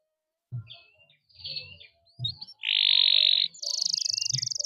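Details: Canary chirps and long roll, played to tutor young birds: soft scattered notes with low knocks, then a loud sustained buzzy trill followed by a thinner, higher rapid rattle.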